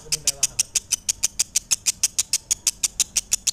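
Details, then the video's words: Lovebird singing a fast series of sharp, high, evenly spaced notes, about three per second, steady and unbroken throughout. "Suara Asli Lovebird"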